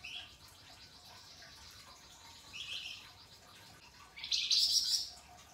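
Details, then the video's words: Flamboyan songbird singing actively, a tutor recording in a style called ngebren, with rough rasping and sharp crystal-clear shots: faint high chirps early, then a loud, rapid, buzzy trill near the end. "Top Masteran Flamboyan Gacor Dor Ngebren, Mbeset Kasar dan Nembak Tajam Suara Kristal"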